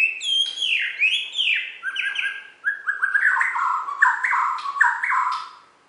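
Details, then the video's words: Bornean white-rumped shama, champion in West Kalimantan, sings loud flowing whistles that glide down in steps, then quicker bouncing phrases with harsh overtones, continuous for six seconds. "Video Burung Murai Batu Borneo Juara Di KalBar"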